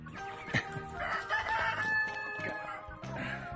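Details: A rooster crows on a relative's farm in Wisconsin that also keeps goats, ducks, chickens and peacocks. The drawn-out harmonic crow rises and holds, mixed with music and other clucking and farm noise.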